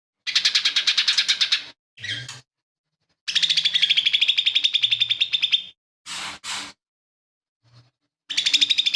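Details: Lesser green leafbird in lively song, a tutor bird whose material includes fighting sparrow, buto kingfisher and cililin imitations; long rapid trills of high repeated notes, about three per second, broken by short rasping bursts and pauses.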